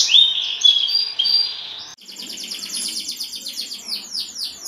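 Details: Canary singing as a lure for other canaries, from a champion bird: a warbled whistled phrase, then a steady rapid trill ending in several sweeping downslurred notes.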